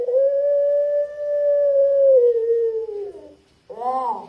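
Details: Barbary dove (puter pelung) giving a long, deep-voiced 'kwook' lure coo: a smooth sustained note of about three seconds that gradually falls in pitch and fades, followed by a short, rich, harsher note.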